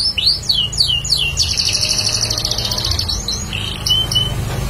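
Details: A lively Bar-winged prinia, a prospective lure bird, sings high, quick falling notes, then a long buzzy trill and a few sharp whistles over a low background rumble.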